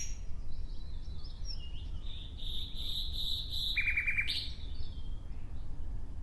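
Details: Nightingale song: soft scattered whistles lead into a sustained, throbbing high note, broken off by a quick stuttering series of repeated notes and a final upslurred whistle.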